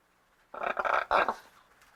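A macaw gives a harsh, raspy squawk in two quick bursts lasting under a second, loud and grating, against a quiet background.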